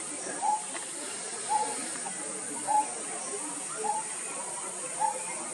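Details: Coppersmith barbet repeating a slightly drawn-out, hollow low note about once a second, five notes in a row, over a steady high insect hiss.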